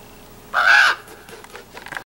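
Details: One harsh, grating raven croak from Chaco Canyon, lasting under half a second and slightly falling at the end, with faint scratchy noises after.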